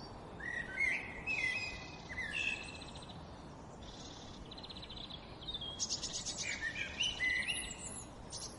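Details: Sparrow singing in high, thin chirps and short buzzy trills, phrases spaced a second or two apart, with a few faint overlapping twitters and a soft noisy background.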